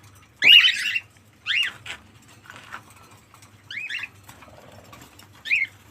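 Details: Pet cockatiel giving a string of short, harsh chirps and squawks, the first longest and loudest, followed by three briefer rising-falling calls at uneven intervals, in a quiet indoor setting.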